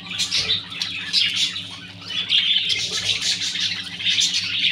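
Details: Clearwing budgerigars, a captive group, giving continuous high chirping and warbling chatter with many overlapping calls, plus a steady low hum in the background.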